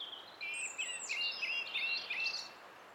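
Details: On 20 April 2016 a song thrush delivers a dense, tumbling string of high, varied whistles and chirps with rapid upward and downward slides, lasting about two seconds, over faint hiss.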